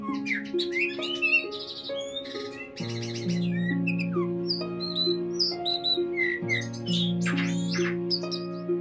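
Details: A captive male rufous-tailed rock thrush, trained since 2013 to sing insectivorous birds' songs and recorded some years ago, sings a rapid, varied run of high whistles, chirps and trills, changing phrase every second or so, over steady background music.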